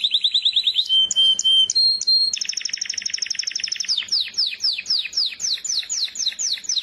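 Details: Canary song with a fast pulsing trill, short whistled pairs, a long rapid chattering roll, then repeated sharp downward-sweeping notes at a steady quick pace.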